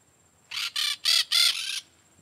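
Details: Peach-fronted parakeet, Eupsittula aurea, giving four grating, screechy notes in quick succession, the last drawn out slightly longer, with little else audible.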